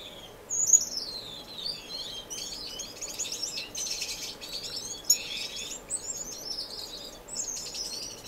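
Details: High twittering finch song with sliding whistled notes and short chirps from an indoor, non-breeding community aviary in Edmonton, Canada, with steady chattering throughout.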